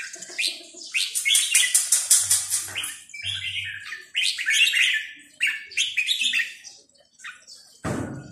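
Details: Red-whiskered bulbul singing in the counting-flowers (sai nap dok) song style: rapid runs of bright, clear whistled notes, stacked and repeated several times a second, with short pauses between phrases and a low brief hum in the background.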